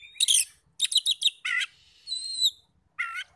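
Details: Oriental magpie-robin song used as a lure to rouse other magpie-robins into answering, with rapid clusters of sharp high chirps, a buzzy rasping note, thin upslurred whistles and a short warbled phrase, separated by brief pauses.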